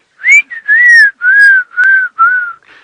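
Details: Black-crowned tchagra at sunrise in South African bushveld, March: a run of about six clear, plaintive, mournful whistled notes, each slurred and gently falling, the series sliding lower over three seconds.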